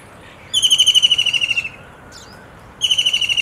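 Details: White-throated kingfisher calling in a loud, shrill whinnying trill, a rapid series of about fifteen ringing notes that slowly fall in pitch, repeated after a pause, with faint background noise.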